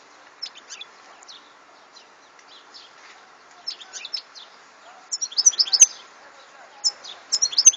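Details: European goldfinch singing: sparse high tinkling notes early on, then rapid liquid twittering bursts near the end, with a faint low hum underneath.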